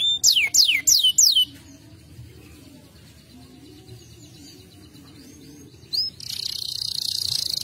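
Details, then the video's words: Canary giving four quick sharply falling whistles, a quiet stretch with faint background sounds, then a dense fast high trill at the end. "تغريد مدهل للكناري الوحش"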